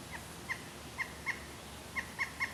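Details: Pileated woodpecker calling with spaced, ringing kuk notes in small irregular groups, seven notes in all, against faint background hiss.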